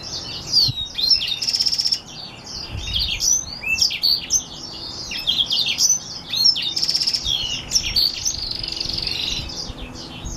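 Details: Black-throated x Reichenow's seedeater hybrid in a long, lively warble. Chattering, jumbled twitters and slurred whistles flow without pause, broken twice by bursts of a rapid, buzzy trill.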